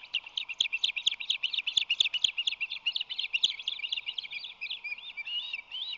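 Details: At a San Francisco Bay nest in March 2020, ospreys call excitedly as the male flies in with a fish, partly to defend the nest: a continuous run of rapid, high, squeaky chirps, about two per second, ending in slurred notes.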